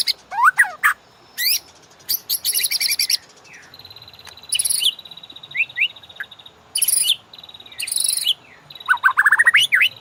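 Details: Murai batu, or White-rumped shama, master recording meant to stimulate caged birds: rough buzzy bursts alternating with short whistled slurs and a thin sustained tone, ending with a rising twittered phrase.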